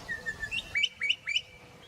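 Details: Bokmakierie calls in the Karoo, a level whistled note followed by three bright, sharply rising whistled notes in quick succession.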